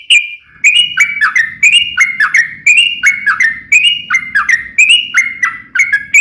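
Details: Lure song of a yellow-vented bulbul for triggering other bulbuls to sing. Steady series of bubbly two- and three-note whistled phrases, each dropping in pitch, repeated roughly once per second over a soft low hum.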